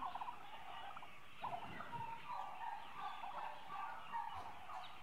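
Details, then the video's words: A flock of 8-month-old turkeys, mostly hens, keeps up a busy, unbroken, overlapping chatter of nasal yelps, clucks and purrs. "8 Month Old Turkeys Mostly Hens"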